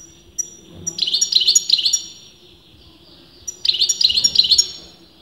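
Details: European goldfinch whose sex is disputed by breeders, singing in two bursts of rapid, bright twittering notes, each burst about a second of quickly repeated tinkling chirps, separated by a quiet pause.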